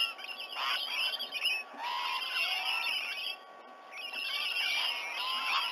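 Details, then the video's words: Rainbow lorikeets gathering in and around a white-bellied sea-eagle nesting tree at Sydney Olympic Park, Australia, just after 7 a.m. on 19 November 2020, caught by a nest camera: many shrill, overlapping squawks and screeches, with a short lull in the middle. "Rainbow lorikeet gathering"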